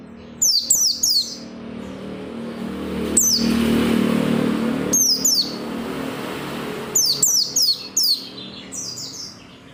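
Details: Energetic oriental white-eye song used to make other white-eyes sing: rapid trios of high descending whistles, broken up by a steady low rumble like passing traffic in the middle section.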